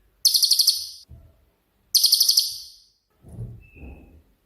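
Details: Cililin singing in 'tembakan' (shooting) style, used as training song for songbirds: two short, very high, rattling buzzy bursts of about seven quick pulses each, followed by soft low rustling.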